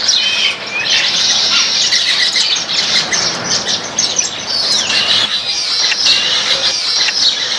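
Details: Baya weavers in a backyard flock eating grains give busy high chirps and squeaky chatter, including a few clear downward-slurred whistles, with short quieter gaps later on.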